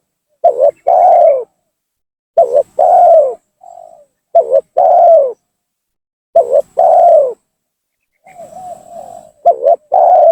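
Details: Spotted dove coos as a lure to draw rival doves down and anger them: four loud phrases of a short two-part coo plus a long descending coo, about every two seconds, with softer faint coos between.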